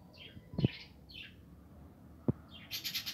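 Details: Budgerigars in a breeding aviary giving short rising chirps in separate bursts, then a rapid run of high repeated notes near the end, with two sharp knocks in between.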